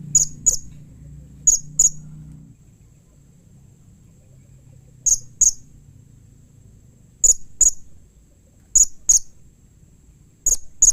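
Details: Blue-crowned hanging parrot giving a call meant to make other hanging parrots respond: sharp, very high-pitched notes in pairs, each pair repeated about every two seconds over a faint low hum.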